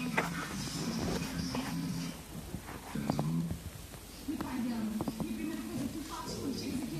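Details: Sulphur-crested cockatoo (Cacatua galerita), talking.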